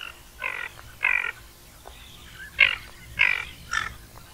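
Ferruginous Duck giving six harsh, rasping calls, each a short grating burst, at uneven intervals of about half a second to a second.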